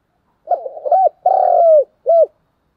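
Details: Spotted dove giving a fighting coo: a hoarse rolling opening note, a short hooked coo, a long drawn coo that falls at the end, then a final short hooked coo, in a quiet setting.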